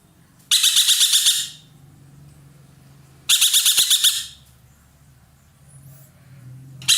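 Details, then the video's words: Ekek keling roller with a loud, strong voice, kept as a tutor bird in Indonesia, giving two grating pulsed bursts about three seconds apart, with the start of a third at the end. "burung ekek Keling gacor nembak"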